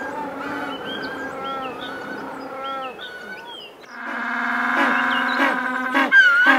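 An African penguin gives a loud, harsh, donkey-like bray after a stretch of softer colony chatter.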